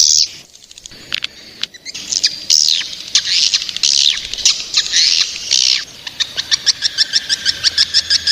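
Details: Young swiftlets calling: bursts of sharp, high chirps and twittering notes that sweep up and down, then a fast run of evenly spaced dry clicks in the last two seconds.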